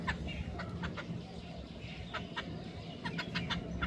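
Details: Hungry jungle babblers (ছাতারে পাখি) begging for food: harsh, scratchy chattering notes in rapid, irregular bursts, several per second, over a steady low rumble of background noise.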